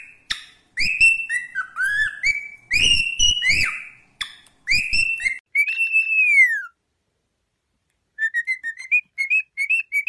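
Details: Pet cockatiel singing: clear whistled notes near the upper-middle range, some sliding upward and others swooping down, delivered in quick bursts, followed after a pause by a run of short chirpy whistles.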